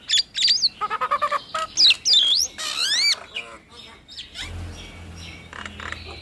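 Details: Nias hill myna duet of loud sweeping whistles, quick stuttering chatter and rising slurred notes in the first half, fading to faint calls over a low rumble.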